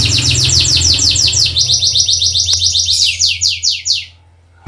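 A domestic canary sings a fast, bright trill of high repeated notes, several per second, shifting into rolling phrases before stopping; a low indoor hum sits beneath.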